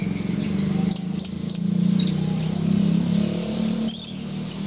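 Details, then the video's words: Male blue-crowned hanging parrot recorded on 17 July 2020: a quick series of three piercing high chirps, a fourth a moment later, then one more, over a steady low droning hum. "Serindit birds chirping"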